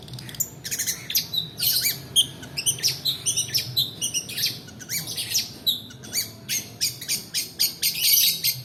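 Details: Long-tailed shrike song used as a lure for training other birds, a long rolling run of quick, harsh, high chattering notes in nearly continuous bursts.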